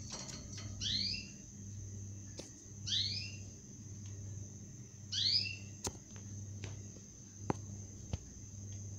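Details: Six-day-old zebra finch chicks give three rasping, down-curving calls roughly every two seconds, with a low electrical hum and sharp ticking noises in between.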